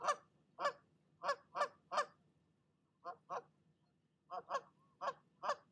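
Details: A nesting mother goose on a nest camera scolds another goose that came to her nest and keeps at it after the visitor leaves. Harsh, broad honks come in quick pairs and triplets, about twelve in under six seconds, separated by brief quiet gaps.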